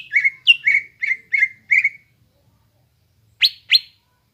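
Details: Greater green leafbird singing, recorded to prompt untrained leafbirds to copy: six evenly spaced downslurred whistled notes, a pause, then two sharp rising chips.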